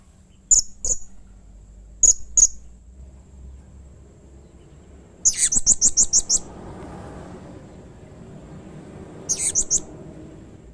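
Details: Blue-crowned hanging parrot calling in an agitated, aggressive way said to stir other birds of its kind: scattered thin high chips, then a stuttering burst of rapid sharp notes over a low background hiss, and a final short burst.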